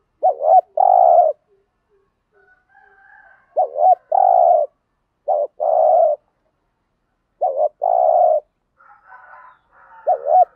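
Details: Spotted dove singing in a practised style meant to provoke wild birds into answering, with a clipped double note and a long mellow coo repeated in spaced phrases; a faint chirping bird at the end.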